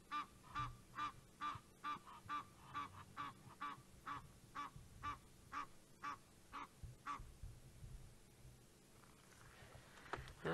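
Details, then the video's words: Egyptian geese near a dam in Djuma Game Reserve alarm calling at a leopard at sunset, a long regular run of nasal honks about twice a second that fades out near the end. "the Egyptian geese basically alarm calling at the leopard that's the sound that you can hear"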